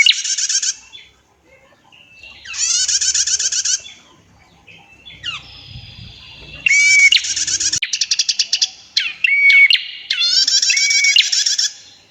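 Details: Female prinia giving clear, long trilling song. Buzzy high rattles come in bursts of one to two seconds with quiet gaps, mixed with rapid ticking runs and short flat whistled notes.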